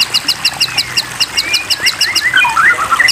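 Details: White-rumped shama song in a water-therapy training track meant to prompt caged birds to sing: sharp high chirps repeated about three times a second, layered with slurred rising whistles and quick varied phrases over a busy background.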